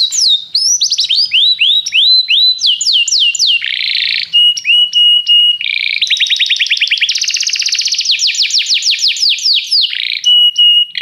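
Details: Canary singing varied phrases: rising swooping whistles repeated quickly, buzzy bursts, short steady whistled tones, and a long fast rolling trill, loud and continuous.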